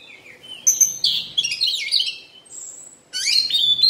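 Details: Oriental magpie-robin during its moult, singing a fast jumble of high, varied chirps and whistles, with a long thin whistled note in the middle, a short pause, then another bright, scratchy burst of rapid notes.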